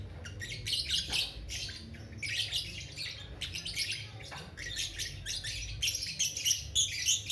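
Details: Young (balibu) lovebird singing actively in a long ngekek chattering song: dense bursts of high, scratchy twittering trills, each lasting about half a second to a second, repeated rapidly with short gaps, over a low background hum.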